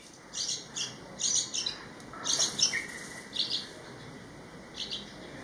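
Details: Yellow-vented Bulbul at a nest by a home in Thailand, where parents feed a chick preparing to fledge, giving short, high, chirpy notes in loose bursts about once a second over a thin, high-pitched whine.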